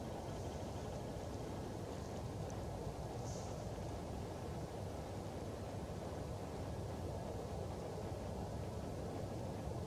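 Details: Dense roaring wind or surf-like noise throughout, heaviest in the low range, with no animal calls heard.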